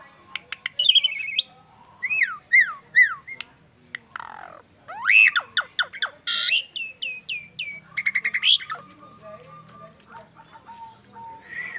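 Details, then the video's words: Asian pied starling, described as bald, giving a loud, varied run of sharp rising and falling whistles, squawks and harsh chattering notes in quick bursts, with brief pauses between phrases and a quieter tail of softer notes. "Burung Jalak suren"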